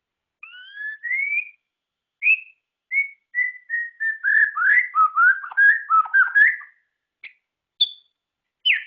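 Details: White-rumped shama (murai ceram, murai batu), a songbird kept by hobbyists, singing a varied run of clear whistled notes: slurred rising whistles, then rapid rich warbled phrases, ending with a few sparse sharp notes in a quiet setting.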